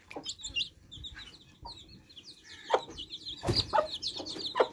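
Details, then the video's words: A group of thirsty baby chicks drinking fresh water: a steady chorus of high, sharp peeps, some descending, overlapped by occasional short broad knocking sounds, louder toward the end. "Thirsty Chicks Quenching Thirst With Fresh Water Baby Chicks Relaxing Sound"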